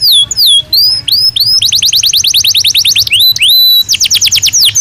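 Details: Belgian canary singing naturally: loud, high, sweeping whistled notes open into fast, even rolled trills of rapidly repeated notes, broken by a pair of rising whistles before another quick trill.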